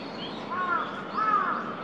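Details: A Eurasian coot at Ueno Shinobazu Pond on December 10, 2021, gives two short, nasal, slightly rising calls about half a second apart over a steady hiss of background noise.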